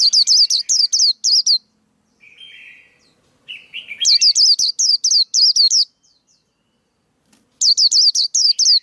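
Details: Male white-eye singing a lure and training song for young birds and trapping: three bursts of fast, high, sharply looping whistled notes, separated by quieter buzzy chatter and short pauses.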